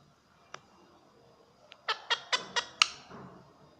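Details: Pet parrot indoors trying to repeat its owner's words: five quick, harsh, rasping syllables in a row near the end, after a couple of faint clicks, in a quiet small room.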